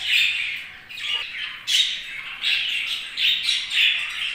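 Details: Budgies giving separate squawky chirps, short bright bursts about every half second with small gaps between, in a quiet setting.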